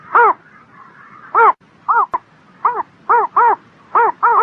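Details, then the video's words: Spring morning bird calling in quick, uneven bursts: short arched notes, some paired back to back, with a faint drawn-out note early on and one sharp click, against quiet background noise. "Singing Bird in the Spring Morning"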